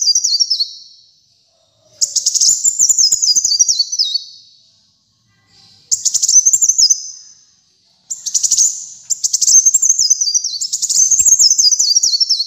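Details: Repeated high-pitched song phrases of a kolibri muncang sunbird, meant to tutor and attract other birds. Each phrase is a burst of fast stuttered notes that steps downward in a thin warble. About five phrases come with short silences between.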